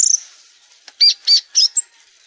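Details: Brief violaceous euphonia phrase: a fading high trill, then three separate bright rounded notes and a short, very high squeak.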